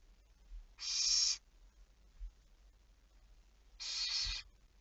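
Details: Barn owl recorded on 11 May 2019 at 23:34, giving two harsh, hissing screeches about three seconds apart, each roughly half a second long, over a quiet night background.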